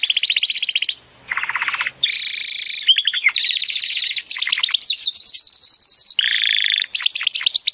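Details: Training song of a Timbrado canary for teaching canaries to sing better: varied phrases of fast buzzy trills, lower rolling tours and sweeping downslurred notes, each section switching quickly with short gaps.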